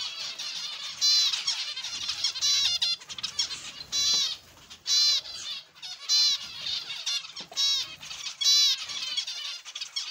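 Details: Zebra finches in an aviary, many birds calling at once: dense nasal chattering and squeaky notes in repeated loud bursts, about one burst a second, with flapping and rustling underneath.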